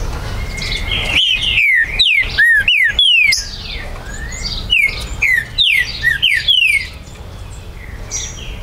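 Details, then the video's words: Captive green-winged saltator from a Brazilian breeder, territorial bird recorded 19 September 2020; bursts of sharp, descending whistled notes in quick succession, a pause with soft background calls, then another rapid series. "ESQUENTE MUITO seu TRINCA FERRO, vídeo para estimulo"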